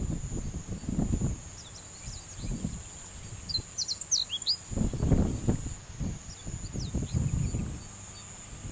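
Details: Japanese reed bunting song in two separate bursts of brief, high, slurred chirps, the second phrase pitched around the first, with strong gusty wind noise beneath.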